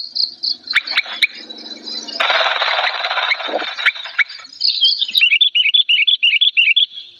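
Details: Old sooty-headed bulbul in an agitated, loud and clear song: chattering notes at the start, a burst of broad rushing noise in the middle, then a fast run of short, bright, repeated warbled notes.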